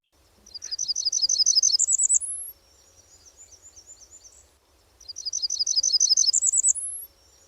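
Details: Blackburnian Warbler singing twice: a thin, very high series of quick lisping notes, slower than a Parula's song, ending in an even higher, rising final note that some people may not hear. Faint low rumble underneath.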